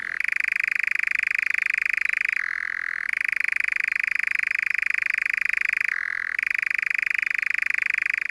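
A European nightjar churrs in a dry, continuous, insect-like trill that drops briefly to a lower pitch twice before resuming.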